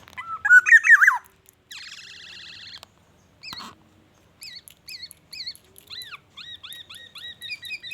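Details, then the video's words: Black-naped oriole singing vigorously, its song filled with imitated white-rumped shama phrases: a burst of warbled whistles, a buzzy rattling stretch, then spaced, clear, up-and-down whistled notes repeated at a quickening pace. "SUARA BURUNG KEPODANG EMAS GACOR BONGKAR ISIAN MURAI BATU"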